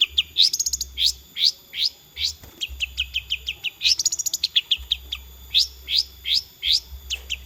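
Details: Long-tailed shrike singing a fast, varied song of high chips, rising sweeps and rapid trilled runs. Short phrases repeat with little pause, over a low background hum.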